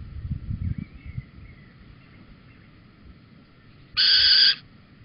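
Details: Male Little owl at Holten, evening of 4 May 2020, arriving with a cockchafer; after a quiet stretch with faint rustling, one sudden loud, harsh, sustained call lasting roughly half a second.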